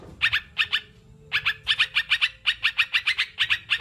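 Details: Sooty-headed bulbul chatter, used to encourage caged birds to start singing: quick harsh notes in tight clusters, a gap near one second, then a steady rattling run to the end.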